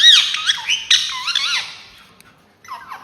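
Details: Loud, close indoor ringneck talking parrot producing shrill, wavering squawks and swooping squeaks for about two seconds, a short silence, then another rough squawk.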